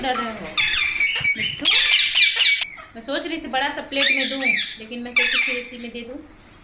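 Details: Parrot, possibly young, in India: raspy squawks and wavering, rising-falling nasal calls in a series, mixed with faint human speech in Hindi.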